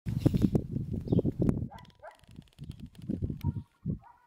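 Ostrich chicks give low, throaty, rapidly pulsed calls in quick overlapping bursts, with brief higher squeaky notes mixed in.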